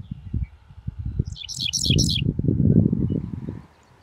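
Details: Adult male dickcissel singing from a farm field near Geneva, Seneca County, New York, late May 2024: a short lead note, then three rapid, loud, chippy high phrases, over steady low wind-like rumble.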